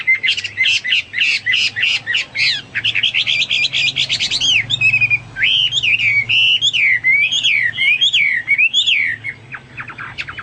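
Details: Hwamei in an extended loud performance: a rapid series of repeated bursting notes, then a run of slurred looping whistles rising and falling, closing with scattered short notes.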